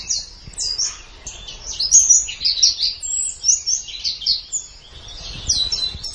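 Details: Pleci, the white-eye, in a gacor training recording for songbirds: long flowing twitter of high, squeaky notes, loudest in the middle, tapering into softer chirps near the end.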